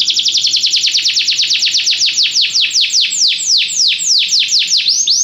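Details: Belgian canary singing for training, a loud run of sweeping notes starting rapid and high, then slowing into wider, drawn-out downward swoops repeated roughly twice a second toward the end.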